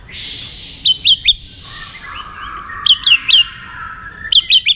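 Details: White-rumped shama giving fighting song: thin drawn-out whistles interrupted three times by loud groups of three sharp, downslurred notes, spaced about one and a half seconds apart.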